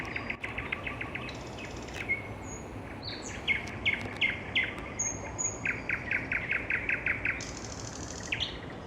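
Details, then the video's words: Nightingale singing in the evening: rapid series of repeated clipped notes, a sharp rising whistle, then more fast repeated notes and a high drawn-out whistle, with a buzzy burst at the end. "Вечернее пение соловья"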